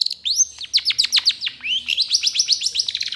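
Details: Long-tailed Shrike in trotol style, a tutor song for training birds: rapid run of sharp, descending high whistled notes, closely packed, shifting to an even faster chatter of short downslurs in the second half.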